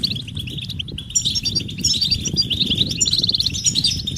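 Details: European goldfinch mating and readiness calls to encourage males to sing: rapid high twittering that builds into a fast, rattling trill of repeated notes near the end, with low rumbling noise throughout.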